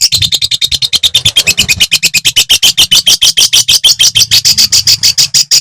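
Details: Long-tailed shrike of the Madura type singing to provoke other shrikes: a rapid harsh chattering run of buzzy notes, about three per second, steady and high-pitched, with a faint low hum beneath.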